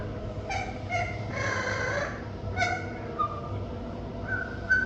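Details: Pet parrot giving funny, intriguing vocalizations: a handful of brief, bright honks, then a longer harsh squawk lasting nearly a second, followed by more clipped nasal notes and a thin whistle near the end, with steady low hum throughout.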